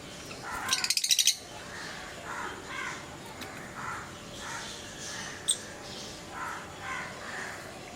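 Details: Pet lovebirds of various colour mutations give a quick burst of shrill, clicking chirps, then softer scratchy chatter repeating about every second, over steady background hiss.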